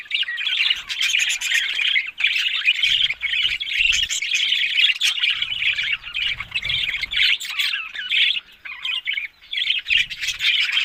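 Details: Talking budgerigars fill the air with an unbroken, scratchy warble of chirps, twitters and clicks, with patches of soft low hum.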